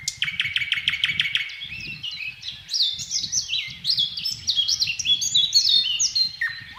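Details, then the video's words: A thrush nightingale's song, powerful and varied with deliberate phrases: it opens with a fast series of identical loud pulsed notes, then moves into a long run of varied whistled and chirping elements that rise and fall. "Соловей поёт"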